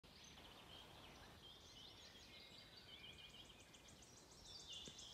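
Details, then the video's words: Wood warbler singing on 16 May 2024 in the Stornäset pastures, Alnö, Sweden: faint high ticking notes quickening into a shivering trill, amid blackbird, robin and blackcap song and steady hiss. "Grönsångare spel/sång"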